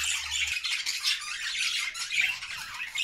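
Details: Flock of budgies in a homemade cage singing happily; steady mass of scratchy chirps and squawky warbling from several birds at once, no breaks.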